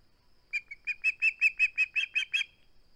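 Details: Osprey on its nest, seen on a live cam on 21 August 2020, refusing to hand over its flounder, gives about eleven sharp, high whistled chirps in two seconds, growing louder midway.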